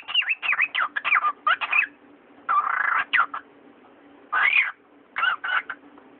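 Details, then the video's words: Talking cockatiel kept as a pet, uttering clipped speech-like syllables in rapid runs with short pauses, including a longer rasping sound and a swooping squawk-like word near the middle, over a low constant hum. "Говорящий попугай Яша, корелла"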